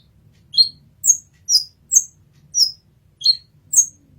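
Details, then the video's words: Olive-backed sunbird (kolibri ninja) in a master song recording: seven sharp, very high, down-slurred chips spaced about half a second apart over a faint low hum. "Kolibri Ninja Masteran"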